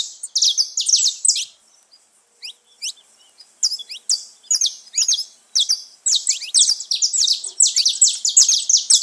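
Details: Wild saffron finches singing together in nature: dense clusters of high chirps and buzzy downslurs, a brief lull after two seconds, then rapid overlapping bursts resuming to the end.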